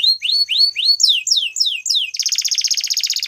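A Belgian canary sings bright rising whistles, then quick descending slurs, ending in a fast rattling trill.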